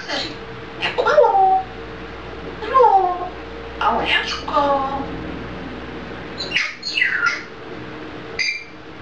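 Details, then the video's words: A Czech-speaking grey parrot chatters indoors, producing speech-like phrases with gliding tones, including a meow-like rising and falling call near the end, with quiet room noise behind. "Mluvící žako ( Talking grey parrot - Czech )"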